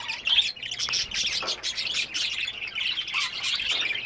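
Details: Budgerigars in breeding season, occupying nest boxes and mating, chatter in a steady stream of scratchy, high-pitched warbles and chirps.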